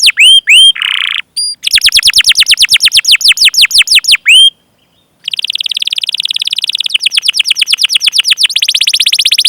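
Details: Canary in a long, continuous training recording meant to stimulate other canaries to sing: loud high tour of rapid downward-sweeping whistles, with short trills, brief pauses and a buzzy rolling trill at the end.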